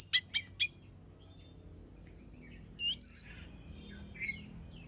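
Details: Oriental magpie-robin (kacer) song used as a lure to provoke other birds into singing: a few sharp clicks, then a loud high whistled phrase after a pause and a short buzzy note.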